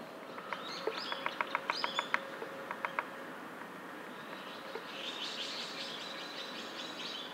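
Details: Japanese pygmy woodpecker (Yungipicus kizuki) excavating a nest hole: a dozen sharp, dry chiselling taps in uneven bursts over three seconds, then faint high twittering in the background.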